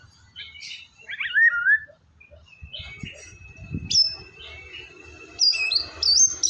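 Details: Song of a white-rumped shama (murai batu), played to prompt a reluctant bird to sing: varied whistled phrases, a falling slurred note, a long steady tone, then bright high rising whistles, with a few low thumps.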